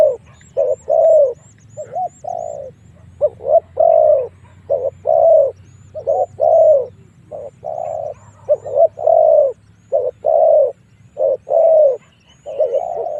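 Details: Long run of spotted dove lure cooing meant to draw wild doves into fights. Short and long low coos repeat steadily in pairs, roughly 47 a minute, with faint high chirping and a low hum behind.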